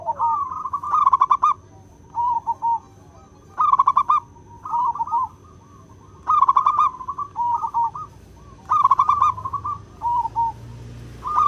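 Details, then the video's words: Local wild zebra dove in full, clear 'crystal' song, suited to luring birds: bursts of rapid trilled coos near one pitch, each phrase lasting about half a second and recurring every one to two and a half seconds, with faint low background hum. "Suara perkutut lokal alam gacor | suara kristal jernih bagus untuk pikat!!"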